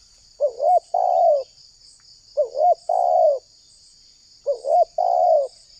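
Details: Lure recording of a spotted dove, Indonesia: three evenly spaced coo phrases, each a brief dipping-and-rising note and then a long smooth coo, roughly every two seconds, over a continuous high-pitched drone.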